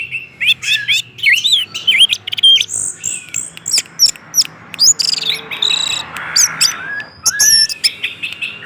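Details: Continuous orange-headed thrush song meant to draw other orange-headed thrushes into singing: a lively stream of warbled, zigzagging whistles and chirps with frequent pitch changes and brief rasping notes.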